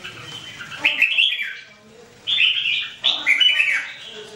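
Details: A red-whiskered bulbul sings three short, loud whistled phrases, each a quick rolling run of clear notes, separated by brief pauses.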